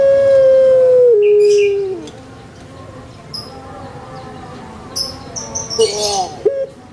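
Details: Kept Barbary dove, known as puter pelung, utters a long, pure, drawn coo lasting nearly two seconds that drops stepwise to a lower tone. After a pause, a shorter wavering coo comes amid sharp chirps of small birds.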